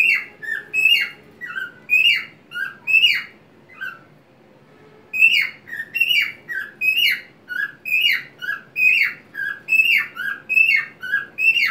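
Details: White-faced pet cockatiel singing happily indoors while swaying on a homemade swing in a small crate, wings open; shrill whistled chirps, many sweeping down from high, repeated about once a second with a brief pause midway.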